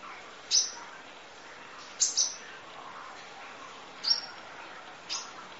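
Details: Van Hasselt's sunbird (kolibri ninja) masteran tutor recording, full isian nembak style: four short, sharp, very high chirps, each a bright downward flick, spaced about one to two seconds apart over a quiet hiss.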